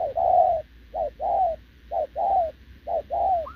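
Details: Spotted dove, wild-caught field bird, cooing at a decoy on 6 November 2024; three full two-note coos, the longer second note gently descending, about a second apart, with a higher coo starting at the end.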